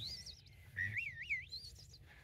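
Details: Wood Thrush singing in southern Maine at the peak of spring migration: an ethereal, flute-like phrase of liquid whistled notes that waver up and down and end in a rising ripple, over a faint low hum.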